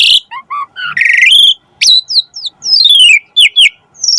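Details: Asian pied starling song intended as a model for caged starlings: mixed whistles, a sustained buzzy note, sweeping descending whistles and high thin notes, delivered rapidly and loudly.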